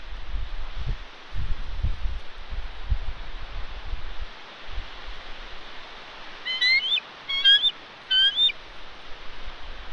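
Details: At her West End nest on Santa Catalina Island, California, a female bald eagle calls while being harassed by ravens in February 2021. After gusty wind, three shrill, chattering, stacked calls follow one another about a second apart.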